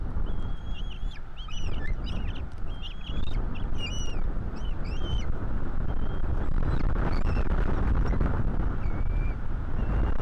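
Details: Two Bald Eagle chicks at feeding time in a Florida nest, 5 April 2022. A burst of short, rapid high whistles and chips comes first, then a few thin notes fade into loud rumbling wind.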